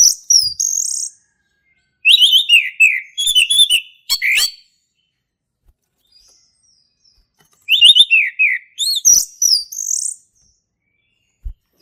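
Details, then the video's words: Male orange-headed thrush in energetic ngeplong-style song, described as a wild forest recording: bursts of bright, varied whistled and chattering phrases with quick slurred notes, separated by short pauses and one longer silence mid-way. "SUARA ASLI HUTAN ANIS MERAH JANTAN GACOR NGEPLONG"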